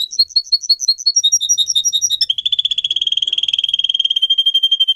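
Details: Canary song from a pet singer used in song training: quick paired whistled notes stepping between two pitches for about two seconds, then a long fast rolling trill of steady, slightly falling pulses lasting to the end.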